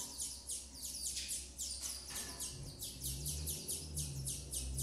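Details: Female double-collared seedeater tending her young, with a steady run of sharp, high descending chirps at a quick even pace, over a noticeable low-pitched hum that strengthens in the second half.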